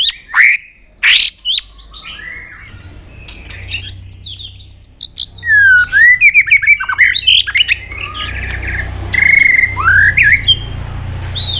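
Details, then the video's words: Provoked White-rumped shama singing hard in fighting mode, tail flicking on its perch: a few sharp opening notes, then a fast string of high ticks, then warbled whistles and slurred phrases with a low hum behind. "Chòe Lửa Đánh Đuôi Sàn Cầu Kích Lửa Hót Căng. luyện Chòe lửa hót đấu."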